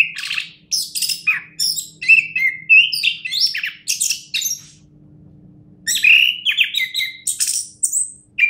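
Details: A prize-winning orange-headed thrush delivers bursts of high, sharp whistles and chattering trills, some notes sliding upward, broken by a short silence midway before the song resumes.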